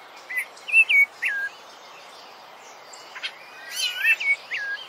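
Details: Rufous-bellied thrush singing a few whistled, slurred phrases in two short bursts split by a pause, with faint high chatter and a brief click in the background.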